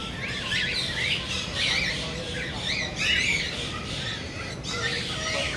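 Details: Cockatiels eating popcorn give repeated raspy, warbling squawks and chirps, several birds calling over one another.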